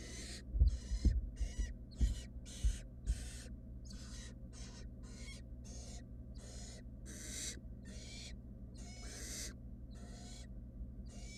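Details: Three wild barn owl nestlings in a nest box keep up a continuous run of scratchy, hissing snores, more than twenty bursts in quick succession, with low thumps early on and a persistent hum.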